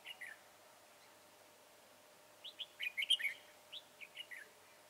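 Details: Red-whiskered bulbul singing at a trapping session with a decoy bird: a short opening phrase, a pause, then a busy run of sharp whistled and warbled notes followed by several spaced chirps.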